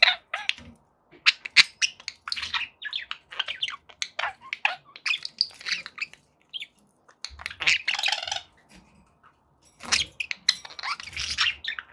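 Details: Budgerigars kept as pets chattering continuously: dense high warbling, squeaks and clicks in quick runs, with a few louder harsh bursts and short pauses.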